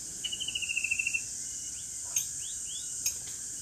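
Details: White-rumped shama in the middle of a forest during bird trapping: a quick run of about ten clear whistled notes, then several short rising whistles, over a loud steady high insect drone.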